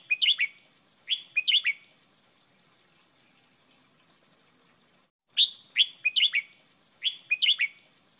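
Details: Red-whiskered bulbul song-training recording in a wild "double" song style: short, bright phrases of three or four liquid, bubbling notes in quick bursts with pauses between; no other sounds stand out.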